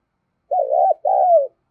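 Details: Single cooing phrase from a decoy spotted dove luring other doves: a warbling, undulating coo followed at once by a smooth, drawn-out descending hoot.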